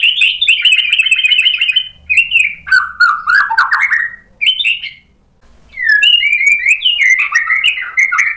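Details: Provoked white-rumped shama in full song: fast rattling trill at the start, then rich rolling warbles and whistles sliding down in pitch, a brief silence, then more varied melodic phrases.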